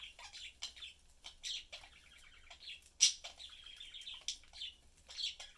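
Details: Budgerigar family of three pets chatting and eating indoors; lively twittering warble with pulsed buzzy trills and a few louder sharp chirps scattered through.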